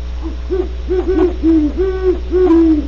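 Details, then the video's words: Deep, mellow hoots from great horned owls at Starr Ranch, California, two birds seemingly overlapping, each note gently rising then falling, about three hoots a second, backed by a steady low hum. "27mins of GREAT HORNED OWLS"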